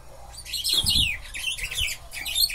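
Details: Buffy-fronted seedeater (bico de pimenta or batuqueiro) singing in a cage placed beside another: rapid, high, tumbling chirps in continuous phrases, with some low thumping noise underneath.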